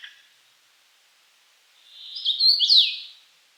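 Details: A common rosefinch delivers one whistled song phrase after a quiet start: soft notes swell into loud, clear, slurred whistles that rise and then drop, ending cleanly.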